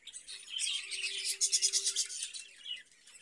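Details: Caged budgerigars give a rapid run of pulsing, buzzy chirps that peaks in the middle, then eases into softer twitters.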